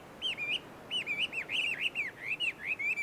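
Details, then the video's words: Chinese hwamei, wild, singing in shady trees at a Tenmangu shrine in Joso City, Japan: two short bursts of fluid warbled whistles, rising and falling in quick wavy notes. "ガビチョウの鳴き声鳴き声。suara merdu Poksai di alam liar!"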